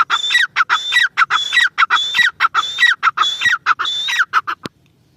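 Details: Grey francolin giving a steady train of loud, harsh phrases, a high whistle then descending squeaky notes, roughly a hundred per minute, ending abruptly with a sharp click.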